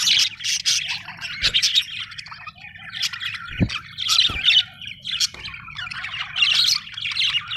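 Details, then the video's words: Happy budgies chirping in a busy flock, bursts of scratchy warbling and squeaky chirps coming in waves a second or so apart, with a faint low hum underneath and occasional knocks. "happy budgie chirping sound"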